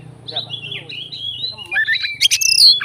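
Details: Oriental magpie-robin, a fighting bird, singing to provoke other magpie-robins: a long, wavering whistled phrase that climbs into bright, varied notes and sharp chirps, with a low hum underneath.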